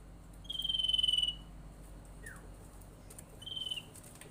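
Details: Sirtu bird lure call meant to set other sirtu or cipow birds calling: a long high buzzy trill, a short falling slur, then a shorter repeat of the buzzy trill.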